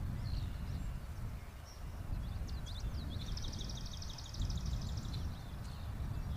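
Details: Common yellowthroat singing: a faint, rapid run of repeated high, sharp notes lasting about a second and a half, nearly buried under heavy low rumbling background noise.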